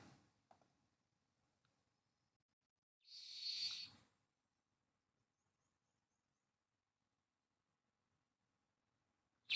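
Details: Spotted Towhee of the northwestern Nevada and Pacific Northwest song type gives a single dry, buzzy trill lasting about a second, with a second song beginning just as the recording ends; otherwise quiet.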